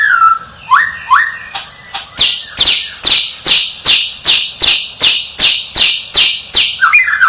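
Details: Champion White-rumped shama giving two rising whistles, then a long, steady train of loud, high, identical swept notes about two per second.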